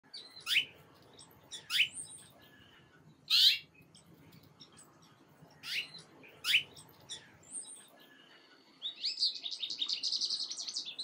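A black-capped chickadee gives thin, sharply falling high notes about once a second, ending with a quick run of buzzy, scratchy notes.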